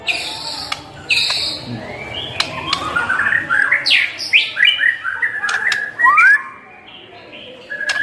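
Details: White-rumped shama in full, rich song, played to provoke other shamas into singing: fast varied whistled phrases with rising and falling sweeps and quick chirps, busy runs mid-clip, a short quiet spell near the end, faint clicks and knocks.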